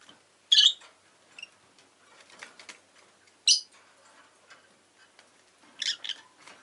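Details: Caged rosy-faced lovebird calls: three isolated, harsh chirps a few seconds apart, over soft clicking and rustling sounds.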